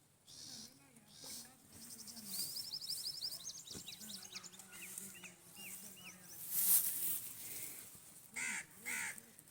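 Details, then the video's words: Parrots chirping in a natural setting: bursts of rapid, high, thin chirps and short rising whistled notes, some in quick runs, over a low murmuring background. "Amazing parrot chirping sound"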